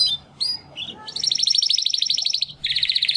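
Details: Timbrado canary brothers, young males hatched in the second breeding of 2020, trying to sing after their first molt; a few scattered chirps, then a sustained fast trill, a brief pause and another trill.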